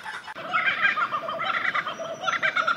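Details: Kookaburra song, said to resemble human laughter: a short burst of dense, harsh overlapping chuckling notes, steady in loudness, with no clear gaps.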